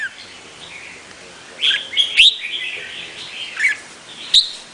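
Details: Scattered whistled notes and brief sharp chirps from a Vietnamese red-whiskered bulbul, with soft warbling between louder accents.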